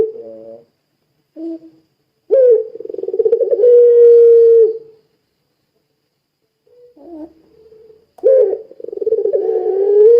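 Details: Barbary dove in pelung style, cooing to stir other doves into song; two low drawn-out coos, each opening with a rough roll and sliding into a smooth held tone, with quieter notes between.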